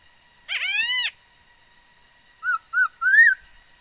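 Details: Female laughingthrush singing a varied repertoire, recorded 13 August 2021: a long harsh, harmonic-rich rising note, then after a pause three short clear whistled notes, the last upslurred and longer, over a faint steady hum.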